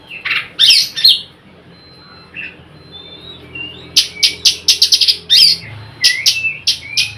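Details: Oriental magpie-robin, a lure to get other magpie-robins singing; a few harsh notes open, followed after a quiet stretch by a fast run of sharp chacks and bright whistled slurs, over a faint low hum.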